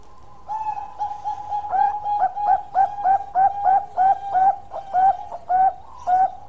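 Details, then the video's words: Zebra dove, known as perkutut Bangkok, singing a long series of mellow coos, quiet at first and growing louder, with rolling upward-flicking notes repeated in an even, continuous rhythm. "Bunyi Suara Panjang Perkutut Bangkok Gacor"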